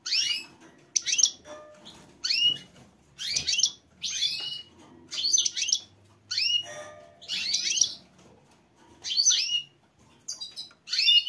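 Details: Female goldfinch calling to mate, giving short bright, twittering call bursts roughly once a second, each a cluster of high chirps, with faint low background hum.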